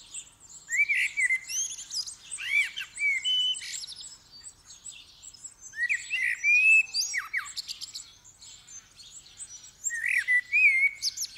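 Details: Common blackbird singing in the dawn chorus at first light on December 8, 2019, recorded with a stereo microphone: rich fluted warbled phrases repeated every few seconds, each ending in thin high twittering squeaks, with quiet gaps between phrases.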